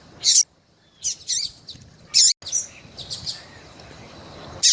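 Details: Female Double-collared Seedeater in breeding condition calling to stimulate a male: a few loud high chirps and short note clusters separated by pauses, over light background noise.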